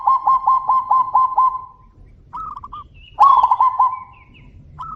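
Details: Zebra doves answering each other: a quick stuttering series of soft cooing notes, a pause, then shorter higher cooing phrases and a louder trilled coo from another bird.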